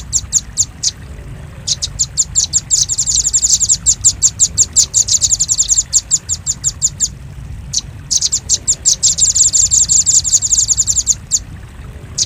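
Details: Velvet-fronted nuthatch, recorded as a lure for birds: long sequences of sharp, high chips speeding into buzzy trills, separated by short pauses, with a quiet low rumble behind.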